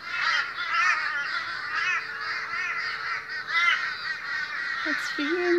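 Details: Several boisterous Australian crows at a morning gathering call almost without pause. Their harsh, quavering, nasal caws overlap steadily, and a brief human voice is heard near the end.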